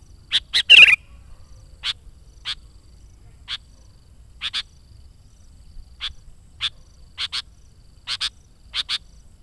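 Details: Energetic sooty-headed bulbul singing, meant to draw wild bulbuls and lure birds: a harsh chattering burst at the start, then many short crisp chirps, several given in quick doubles, across a silent background.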